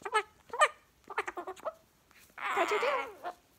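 A pet cockatoo chatters in short, voice-like syllables, then a harsher, raspy burst lasting under a second, in a quiet room.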